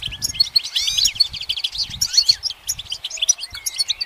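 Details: Goldfinch perched and singing: tumbling high twitters mixed with sweeping slurred notes and rapid trills, energetic and almost unbroken.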